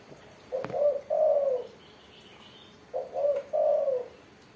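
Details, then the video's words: Spotted dove in full, persistent song with a crisp mersik voice. It gives two repeated phrases about two seconds apart, each of short hoots then a longer falling coo. Faint higher background chirps are heard. "burung tekukur derkuku gacor suara mersik"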